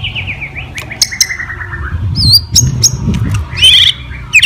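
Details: Fighting song of a white-rumped shama, aimed at rousing other shamas: a soft falling series of whistled notes, scattered sharp high chips and short wavering whistles, ending with a loud buzzy trill; faint low rumble beneath.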